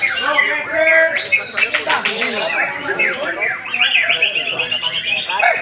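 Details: Oriental magpie-robin, a young bird aged one year and four months, singing a rich, varied song of quick whistles, rising and falling sweeps and harsh squawky notes that tumble together with hardly a pause.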